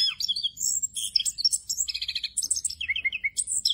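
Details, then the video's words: Brief burst of orange-headed thrush song in the rolling ngerol style: quick high whistles, a run of repeated stuttered notes, then falling slurred phrases, with low rumbling noise faintly underneath. "ANIS KEMBANG NGEROL FULL ISIAN"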